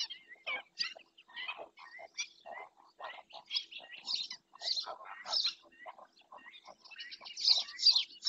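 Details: In Doñana National Park, Spain, a webcam catches black-winged stilt calling: rapid, uneven strings of short sharp notes that grow louder and shriller toward the end, over a quiet low hum.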